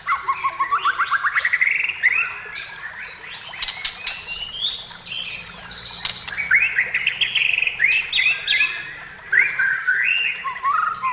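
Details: White-rumped shama song, a recording meant to lure other shamas into singing: rich, varied phrases of whistles and rapid chattering trills rising and falling, with clicking and rattling notes mixed in and short gaps between bursts.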